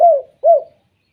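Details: Spotted dove's lure call for getting other doves to call: two soft, low coos, the first slightly longer, each gently falling and spaced under half a second apart.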